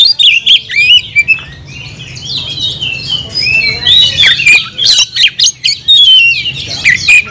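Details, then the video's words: Oriental magpie-robin (kacer) singing vigorously (gacor): a dense, varied run of high whistled slurs mixed with harsh, buzzy bursts, nearly continuous over seven seconds, with a steady low hum behind. "kacer gacor nagen sampe leklok"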